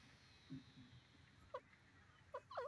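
A francolin gives three short, clear mid-pitched notes, the last two close together; a couple of soft low sounds come before them.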